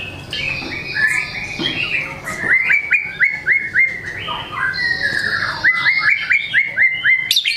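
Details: White-rumped shama in energetic full song, showing off its learned repertoire ('bongkar materi'): mixed chirps and sweeps, then a rapid run of sharp, repeated hooked notes, about four per second, in two bursts.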